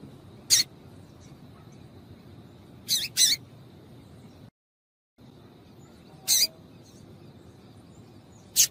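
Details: Female double-collared seedeater piping to warm up males so they keep singing. Scattered brief, scratchy chips come singly and in a quick pair, with long quiet pauses and a short silent break midway.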